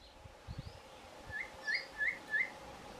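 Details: A male Cape Batis gives its four-note call while foraging for insects in foliage: four short, rising whistled notes about a third of a second apart, with a few soft thumps and faint hiss.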